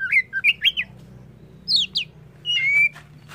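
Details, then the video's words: Oriental magpie-robin sings loud, clear whistled notes in quick rising and falling slurs, then a longer level whistle, over a faint low hum. "Kacer apapun,PASTI NYAUT DAN GACOR dengar Kacer ini"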